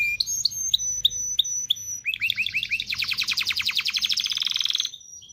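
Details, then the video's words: Excited canary song meant to stimulate mating: spaced high chirps, then a run of curved rising notes, building into a fast, dense rolling trill before stopping abruptly. "تغريد كناري لتدريب ذكور واناث الكناري على التزاوج. صوت كناري لتزوج .. Canary singing"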